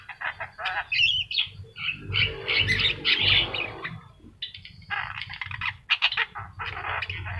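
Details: A yellow-eyed Javan myna sings a busy, scratchy run of harsh squawks, rasping chatters and short whistled notes, several a second, over a faint low hum.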